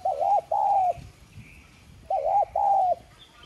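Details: Lure spotted dove with a 'son' voice cooing to rouse wild-caught doves; two matching phrases of a wavering note followed by a sustained flat coo, about two seconds apart, over quiet background.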